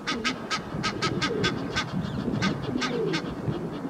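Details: A pair of Egyptian geese on a sculpture arch shout defiance at another pair flying overhead: a rapid run of harsh honking calls, about three per second, with lower hoarse hissing notes mixed in.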